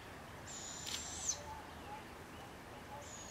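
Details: A Barred Owl, with an adult checking on the first chick out of the nest, gives a thin, very high, drawn-out hissing screech lasting almost a second, then starts again near the end, with a soft click midway and quiet background hiss.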